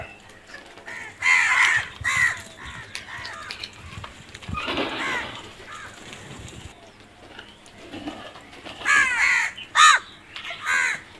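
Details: Several crows cawing in irregular bursts, harsh descending caws in clusters at the start, middle and end, with quieter calls in between.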